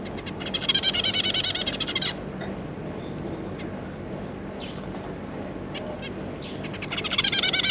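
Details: Zebra finch pair with their three juveniles, caged, giving bursts of rapid, nasal, buzzy stacked notes, loud at the start and again at the end, with quieter scattered calls and a steady low hum between.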